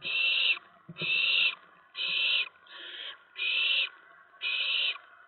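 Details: Owlets in a nest at night, September 10, 2017, around 2 AM, as adults deliver a rat and mice. Harsh, hissing screeches of about half a second repeat roughly once per second, six in a row, with faint scuffling between them.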